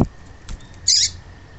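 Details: A female rusty-collared seedeater call, used to stimulate males to sing: a single high, thin, slightly buzzy note about a quarter-second long, over a faint steady hiss.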